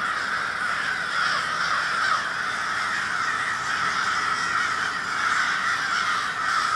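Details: Gathering of crows in Minneapolis, Minnesota, 20 February 2020, keeping up a loud, relentless racket of coarse overlapping caws from numerous birds at once.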